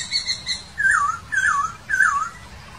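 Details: Wild laughingthrush singing three loud whistled phrases, each sliding down with a wavering, slurred ending, about one second apart, after softer higher-pitched notes at the start; light background hiss.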